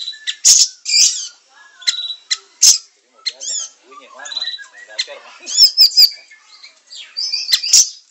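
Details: A siri-siri sings, recorded for training songbirds: irregular high chirps, squeaky notes and brief chattering phrases separated by short pauses, with varied twittering in between.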